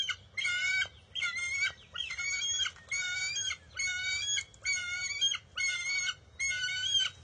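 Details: A bald eagle eaglet at its wild nest on June 23, 2021 wrestles a fish back from its mother. Eight even, grating, harmonic squeals follow one another at a regular pace, with short pauses between.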